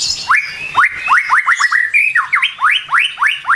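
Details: Morning lure recording of a White-rumped shama: a rapid run of bright rising whistled slurs, each sweeping sharply upward, about four per second, with quiet low rumble underneath.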